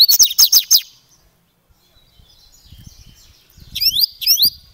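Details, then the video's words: A Double-collared Seedeater of the Paulista type sings a fast burst of four sharp, high chips, then after a pause two ringing, steeply swooping whistles, over a faint low rumble. "Coleiro Grego Paulista"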